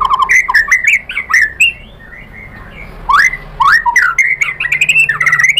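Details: White-rumped shama singing energetically after being provoked: varied rising and falling whistled phrases with squawky edges, a short quiet gap, then more rapid sweeping whistles.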